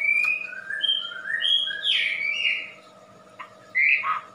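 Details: Indonesian wambi singing separate clear whistles at differing pitches, some flat and some sliding, then a short pause and a final bright upslurred note.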